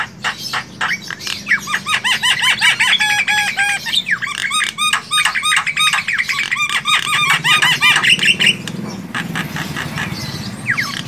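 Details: Long, noisy bout of chatter from wild Javan myna: rapid strings of short arched whistles and harsh notes, several per second, over a low background rumble.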